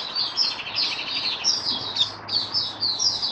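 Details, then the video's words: White-eye (mata puteh) kept in a cage, singing during warm humid weather in March 2022; a continuous, high chattering warble of quick thin notes over a faint background hum. "Mata Puteh Kitaro Video 1 buka sing"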